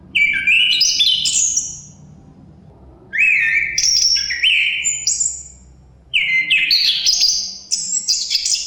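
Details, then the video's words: Three lively song bursts from a chestnut-capped thrush, about three seconds apart. Each mixes rising whistles with sharp high notes and trills. A gentle background wind is heard between phrases. "Suara Kicauan Burung Terapi Anis Kembang Ada Suara Angin"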